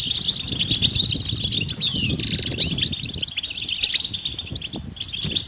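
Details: European goldfinch mating calls in chorus to excite males: lively high twittering with a clear descending slurred note near the middle, over a soft low rumble.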